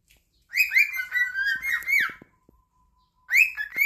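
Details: Several pet cockatiels singing together in chorus, competing for their owner's attention: overlapping, warbling whistled phrases sliding up and down, a brief pause, another bright burst, soft clicks between.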